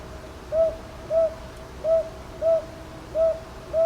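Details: Northern boobook at Ichijoji, Sakyo Ward, Kyoto, Japan, captured 22 May 2023 on a TASCAM DR-100MKIII; six soft, slightly rising-then-falling hoots in a steady paired rhythm, calm background with faint hum.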